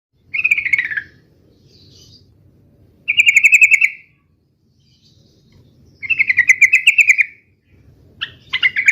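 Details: Yellow-vented bulbul in fighting song, used to make other birds reply: bright bubbling phrases about a second long, repeated roughly every three seconds with brief gaps between, over a faint low hum.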